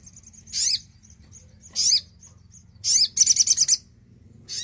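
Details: Javan cochoa song meant to spark singing in silent birds: soft thin high whistles between loud harsh sweeping notes, then a fast stuttering burst of raspy pulses.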